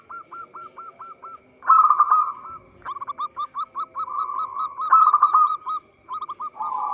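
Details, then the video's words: Local zebra dove singing actively, recorded as a trapping lure: opens with evenly spaced hooked coos, then rolling bursts and long chains of quick staccato notes, with faint high ticking above. "Perkutut lokal gacor suara cocok untuk pancingan."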